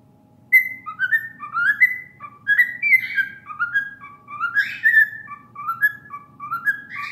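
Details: Cockatiel (Nymphicus hollandicus) whistles a learned melody in clear, rising and falling notes, phrase after phrase, over a low steady background hum.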